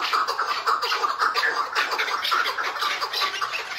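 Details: Tethered partridge giving its hıngırma call: rapid, rough clucking notes repeated about twice a second, with buzzy overtones over a dense, noisy background.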